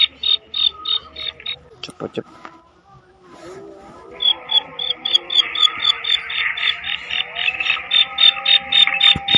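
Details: Female black francolin: a burst of quick high clicking notes, a pause broken by a few thumps and rustles, then a longer run of rapid, regular sharp notes over faint humming tones.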